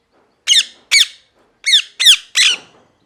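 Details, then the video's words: Parrot, described as angry, screaming: five harsh squawks with a downward slur, in two groups, the last one raspier, in a quiet room. "Parrot Chirping Sounds | Natural Parrot Sounds | Parrot Calling Sounds"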